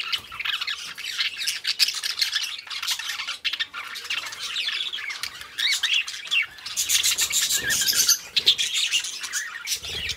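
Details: Two budgie companions chatter continuously, a busy mixture of high scratchy warbling, quick chirps and occasional rasping squawks that rises in intensity toward the end.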